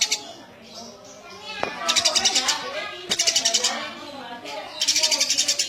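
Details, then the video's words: Eurasian tree sparrow chirping energetically: after a quieter start, three loud runs of rapid, buzzy, high notes, each about a second long, rise above a background of lower, wavering tonal sounds. "Suara burung gereja gacor"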